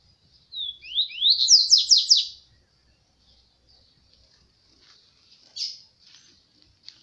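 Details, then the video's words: Double-collared seedeater whose owner asks what its song is gives a quick, high run of about six sharp, slurred notes sweeping upward, followed by softer scattered twitters and a lone chip. "Qual e o canto desse papacapim"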